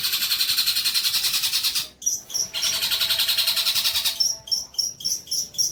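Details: Long-tailed shrike song used as tutor material for training young shrikes: a fast, dense high trill of rapidly repeated notes, a brief break, then the trill resumes and gives way to short, sharp high notes in quick succession.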